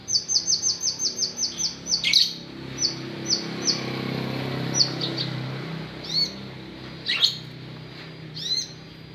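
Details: White-rumped shama opens with a rapid run of about a dozen thin, high, clipped notes. Spaced single notes follow, then swooping whistled slurs and a sharp buzzy note, over a faint background rumble.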